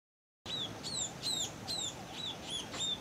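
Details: Two young Scaly-breasted Munias of subspecies particeps begging for food as they fly back into the nest, Tangkoko, Sulawesi, Indonesia, 22 August 2014. After a short silence, high thin downslurred notes come in an uneven series, about two per second.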